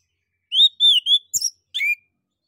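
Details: Orange-headed thrush singing ngeplong style to encourage other birds to sing: three clear, level, mid-high whistles in quick succession, then a scratchy high note and a downward-slurred whistle.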